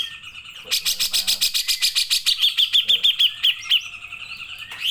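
A grey-cheeked bulbul gives a quick run of bright, high chirps, about three a second, the later notes sliding slightly upward, over a faint low hum.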